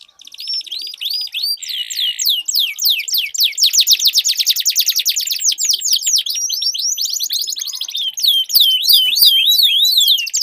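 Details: Canaries in a singing duel, with sweet voices and long rolls ('ngerol panjang'). Rapid high trills of repeated downward-sweeping notes run steadily for several seconds, broken by a short buzzy note and ending in looser chirps and slurred whistles.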